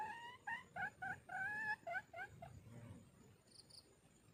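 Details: Red junglefowl hen calling, used to lure birds in: a run of about ten short, clear, harmonic notes, some rising and one drawn out, in quick succession, then quiet with faint insects.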